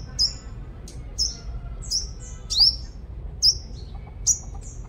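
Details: Five-colored sunbird lure bird in Long Thành, Đồng Nai, Vietnam, singing a series of sharp, very high notes, some sweeping steeply upward, roughly one to two per second, over faint low hum.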